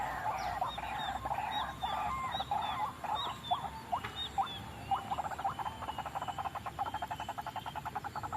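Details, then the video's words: White-breasted waterhen lure recording used for bird trapping: dense, croaking and clucking notes in a fast chatter that shifts into rapid, even pulses near the end, with a steady high hiss behind. "suara pikat burung ruak ruak"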